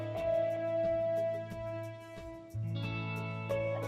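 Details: Strummed and plucked guitar music with sustained notes and a chord change midway; no animal voice.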